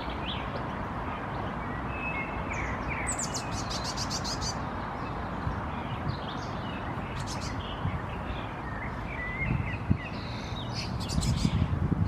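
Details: A Common starling nestling in a nest box in Helsinki, Finland, in May 2021, looking out while calling: short bursts of harsh, rasping chatter every few seconds with thin chirps between, over a steady low rumbling background.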